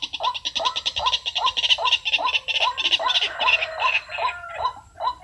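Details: White-breasted waterhen lure sound for trapping with a speaker and decoy: rapid hoarse croaks, a bit over two per second, overlaid by dense higher rattling chatter through most of the stretch.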